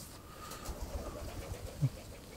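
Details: A lonely pigeon sitting in a bush, then on a fence, in an English garden on an unsettled July day, with cows nearby, gives a soft, low, hollow coo, which the speaker jokingly calls looking for love. The coo is faint against a quiet background hum.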